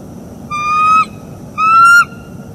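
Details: Two sustained whistled notes, the second slightly higher, from a wild bald eagle pair vocalizing around mating on an autumn morning at a northeast Florida nest, recorded by live camera in 2021.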